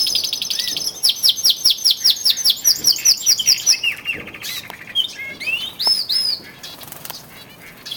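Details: In early February, twelve male canaries raise their singing intensity before springtime; a series of rolling arched notes repeats steadily for three seconds, followed by a lower rattling trill and scattered whistled chirps.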